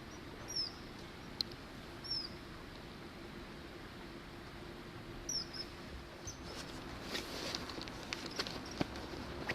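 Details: A common kingfisher on a small river through a residential area off Tokyo's Tama River, 17 February, gives a few thin, very high, sharp falling whistles spaced seconds apart over steady outdoor noise.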